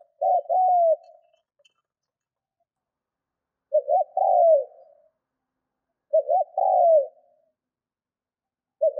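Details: Decoy spotted dove in training, cooing well to excite wild birds; phrases of quick paired notes running into a long descending coo, repeated roughly every three seconds, two full and two partial; quiet surroundings.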